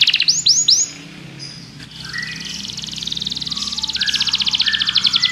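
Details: Belgian canary singing for training other canaries: three quick rising whistles, a pause, then a long, fast trill with lower warbling notes mixed in.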